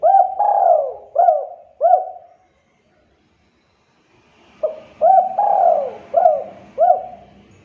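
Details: Repeated cooing of a spotted dove, meant to make other doves respond: a phrase of several bent, mellow coos, a silent pause, then the phrase repeated with a faint low background hum.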